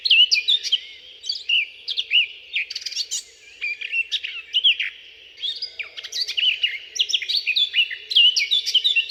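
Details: Eurasian blackcap in a UK garden sings rich, fast warbling phrases of clear, fluty notes, starting softly and building to a crescendo, pausing briefly between bursts, over a faint low hum.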